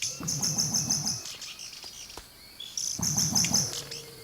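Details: Male Vogelkop bowerbird singing at his bower to a watching female during courtship, the bower channelling his song toward her. Two bouts of rapid, low, pulsed rattling with a thin high hiss, separated by a quiet pause of about one and a half seconds.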